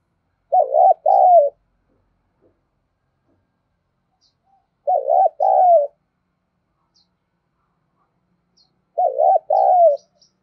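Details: Decoy spotted dove cooing to draw in wild birds, giving three matching low two-note coos spaced about four seconds apart, each pair soft and throaty with a falling tail, silence between phrases.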